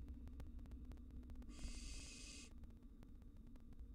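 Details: Wild barn owl nestlings in a monitored nest box let out a single drawn-out breathy hiss of about a second while reacting to an intruding cockroach, over low hum and faint tapping.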